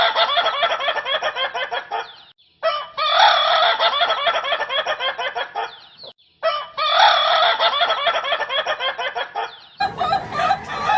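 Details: Rooster crowing in a funny, different style: three long, dense, loud crows in a row, each a couple of seconds with harsh rapid pulsing, followed by a short burst of noise at the end.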